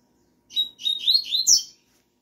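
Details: A singing rusty-collared seedeater answers a female's call with one quick warbled phrase of high whistled and slurred notes, rising and falling over about a second, ending in a short sharp click-like note.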